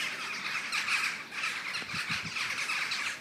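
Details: Common starlings massing in a murmuration on a November 2012 morning, a thick chorus of shrill squeaks and chirrs from a huge flock, with faint low knocks of wind midway.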